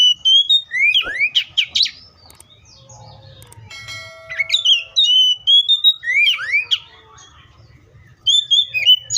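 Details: Oriental magpie-robin singing in two bursts of loud, sweeping whistled notes with rapid up-and-down slurs, separated by a quieter stretch with a faint steady tone and low background rumble.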